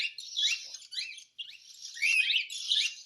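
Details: Begging cockatiel during hand-feeding. Wheezy, noisy squeals mixed with short upward-sweeping squeaks run almost continuously, broken by one brief silence near the middle.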